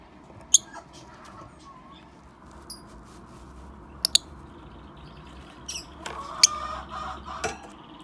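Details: Yellow-collared lovebirds (Agapornis personatus) in an outdoor aviary give a few sharp, shrill squeaks and chirps, scattered irregularly with one quick pair, over a steady low hum.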